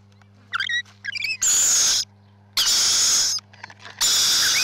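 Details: Rainbow lorikeets at a nest give harsh, rasping screeches, each lasting about half a second and repeated roughly every 1.3 seconds. Shorter squeaky chirps come between them, over a low steady electrical hum.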